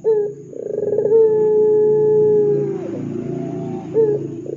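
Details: Ringneck dove, used as a lure to make other doves call: a loud, low, hollow coo held steadily for about two seconds after a short rolling start, then fading, with another brief rolling note near the end.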